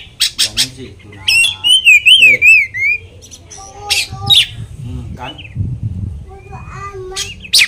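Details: Oriental magpie-robin song meant to agitate rival birds: quick sharp chips, then a bright, wavering whistled trill lasting about two seconds, followed by scattered softer notes, harsh bursts and low rumbling noise.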